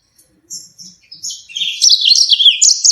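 A yellow-fronted canary sings a high, fast warble of sharp rolling trills and chirps that builds in loudness, with soft low thumps early on.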